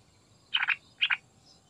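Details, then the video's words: Sooty-headed bulbul in full song, used as a lure so others sing quickly: two short, fluty, bubbling phrases about half a second apart over a faint, steady background hiss. "Trucukan Gacor Isian Istimewa Buat Pancingan Agar Cepat Bunyi"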